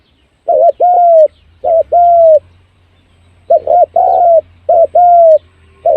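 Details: Spotted dove decoy call for luring birds fast: paired mellow coos, a clipped note then a long slightly falling one, in two groups separated by a short pause, with a soft low hum beneath.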